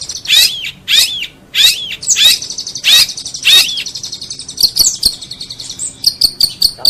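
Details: Tutoring master of a long-tailed shrike: loud sweeping notes that drop and then rise again, repeated under a second apart, then a run of quick high twittering.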